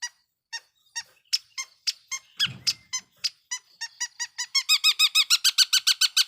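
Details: Long-tailed shrike lure song meant to provoke rival shrikes: scattered sharp squeaky notes speeding up into a rapid, evenly spaced run of bright ringing chips, with a brief low rustle midway.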